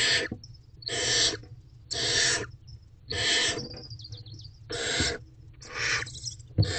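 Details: Wild barn owls at a nest box on 26 April 2023 at 5:41 am, as the male delivers another meal: harsh, hissing broadband screeches about a second long, repeated roughly every second, with faint high twittering between.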